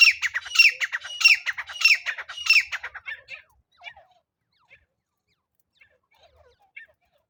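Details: Francolin call played as a net-trapping lure: about four loud, harsh, rasping calls roughly every 0.6 seconds, then trailing off into faint scattered notes and near silence.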